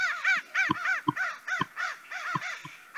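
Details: American Crows give harsh, rasping caws in a fast, uneven string, about three a second and overlapping as if from several birds, with soft low thumps beneath.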